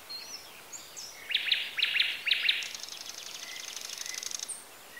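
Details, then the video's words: Birdsong from Bessarabia, Ukraine, on a Zoom H4n: three loud sharp double-note phrases about half a second apart, followed by a long fast buzzy trill, with scattered faint whistles from other birds. "Sounds of nature. Birds. Звуки природы.Птицы"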